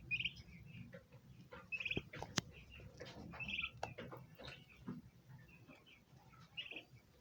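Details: Turkey poults giving high-pitched chirps that signal their presence to other birds. Short whistled chirps sound every second or so over a low, steady rumble, with scattered clicks and taps.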